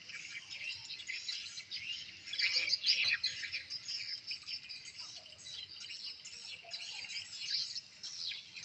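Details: Swiftlets in a new swiftlet house respond to lure playback, Tripelqwin versus a revised chick-call sound: dense, high buzzy chirps and twitters overlap continuously, rising in intensity around the middle, with many birds calling at once.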